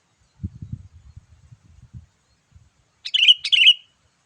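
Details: Low muffled knocks first, then a sooty-headed bulbul's gacor lure call: two bright, bubbly, slightly falling notes in quick succession near the end.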